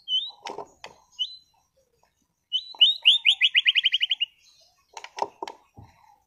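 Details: Competition-class caged white-rumped shama from Sragen: brief upslurred whistles and clicks, then a rapid rattling trill of about fifteen bright notes lasting over a second, followed by scratchy clicks.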